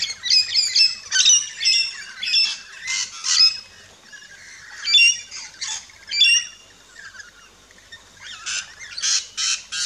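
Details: In an Australian backyard, rainbow lorikeets at a feeding station give rapid, clipped chirps and squawks in quick strings, with quieter stretches between clusters.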